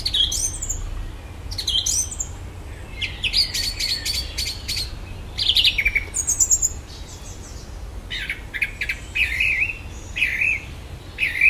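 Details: A garden common blackbird singing in the evening, mimicking electronic noises: rasping buzzy bursts, high squeals and twisting whistles in separate phrases with gaps between.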